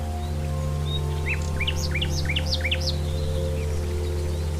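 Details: Wild common nightingale delivering a phrase of around ten loud, sharply upswept whistled notes at an uneven pace, with a constant low hum underneath.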